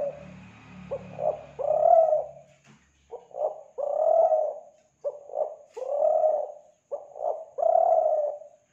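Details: Kelantan spotted dove, lure call: low soft coos in a steady series of phrases, short stuttered notes leading to a longer coo, with a faint hum and a click early on.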